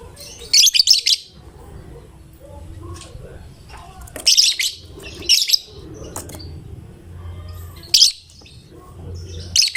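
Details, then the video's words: Lovebird of fighter type, a gacor (constantly singing) bird whose voice prompts other lovebirds to sing; harsh, high shrill chirp bursts at irregular intervals of one to four seconds, separated by quiet low hum. "Lovebird GACOR Fighternya Memancing LB manapun Ikut Bunyi"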